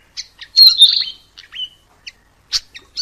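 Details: Mugimaki flycatcher singing in the wild: sparse high chirps and short whistled notes, one longer warbled phrase near the start, then scattered sharp ticks and brief rising whistles separated by silences.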